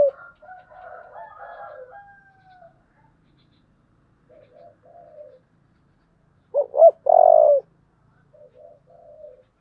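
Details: Spotted dove cooing in the "giọng thổ" voice style: low, soft cooing phrases, some faint and broken, then a sudden loud, rough two-part coo and a final softer murmur, with a quiet background.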